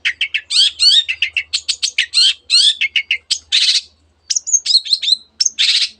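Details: Long-tailed shrike in dense, rapid song packed with canary and other birds' imitations: fast chirps and slurred whistles several per second, broken by harsh buzzy bursts and a brief pause.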